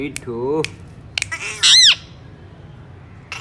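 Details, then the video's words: Alexandrine parakeet gives a wavering, warbled call, a few clicks, then one loud harsh rising-and-falling squawk, followed by quiet. "lovely alexander parrot sound"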